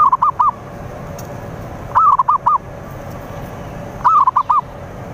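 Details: Zebra dove lure song used to draw in rivals: three short phrases about two seconds apart, each a quick burst of four soft cooing notes, the first slurred and wavering, the rest clipped, over low background hiss.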